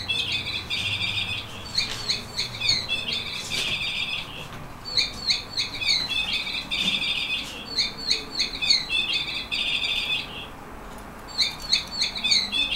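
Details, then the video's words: Fifteen-year-old yellow canary, a senior whistler, singing rapid bright rolling trills and chirped phrases in repeated bursts, with short pauses between them, over a soft background hiss. "YELLOW CANARY."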